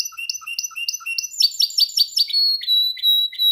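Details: Canary practising its song: a few paired chirps with soft low notes, then a quick buzzy trill, followed by drawn-out high steady whistles separated by brief dips, in quiet surroundings.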